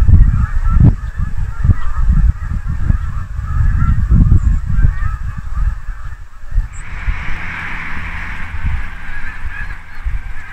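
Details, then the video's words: Large mixed flock of migrating Canada geese and snow geese, October 2022, Quebec, as nights turn freezing, honking continuously in a dense chorus of overlapping nasal calls, with heavy low wind or handling rumble. "Canada goose & Snow goose migration \ Bernaches et Oies blanches en migration"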